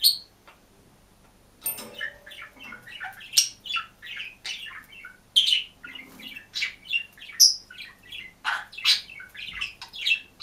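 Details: Budgerigar kept alone in a cage sings and chirps; after a short quiet start, a dense, continuous stream of chattering, squeaky and clicking notes runs on without break.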